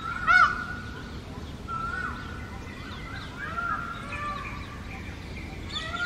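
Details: Indian peacock in India: one sharp, loud honking cry at the start, then softer wavering calls and distant bird chatter over a continuous outdoor hiss.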